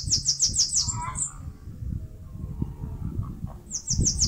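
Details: Bananaquit, locally sibite or chupa-caju, from Northeast Brazil, nesting in mandacaru cactus: a fast run of high, sibilant, slurred notes opening the sound, a brief lower twitter, then another high trill beginning after a quiet gap.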